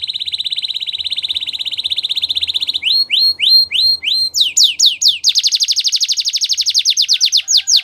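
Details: Canary singing to coax other canaries into song: a long, even, rapid buzzing roll, then separate rising chirps, a few falling sweeps, and a loud, fast, high trill.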